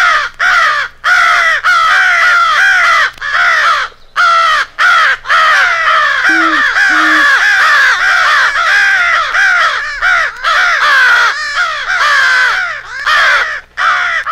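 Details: Crowd of American crows in a rally call, part of a compiled crow fight with an owl for hunting: a continuous wall of harsh overlapping caws, with two brief low hooting notes partway through.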